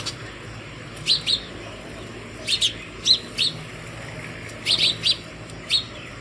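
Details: House sparrows calling other sparrows to food early in the morning at a hanging feeder: short, bright chirps, mostly in pairs, about eight in six seconds, over a steady faint hiss.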